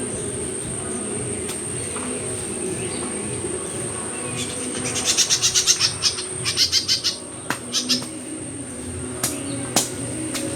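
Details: Myzomela calling on 25 December 2022, a short run of fast, high, clicking notes around the middle, then a few isolated sharp ticks, set against a faint continuous whine.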